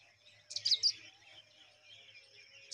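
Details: Rock chat, a mother bird caring for her chicks, giving a quick burst of high, scratchy chirps near the start, then faint thin notes over quiet background.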